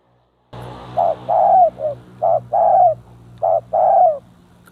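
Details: Captive decoy spotted dove brought close to a bold, aggressive rival dove: a series of low, mellow coos, short notes alternating with longer drawn-out ones that fall at the end, over a faint steady hum.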